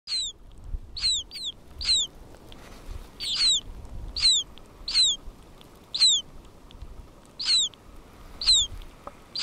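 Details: Newly hatching Hudsonian godwit chicks calling from inside their shells at Churchill, Manitoba, in July 2010 give thin, high, downslurred peeps, roughly one a second at an uneven pace, over a faint low rumble; mother being banded meters away.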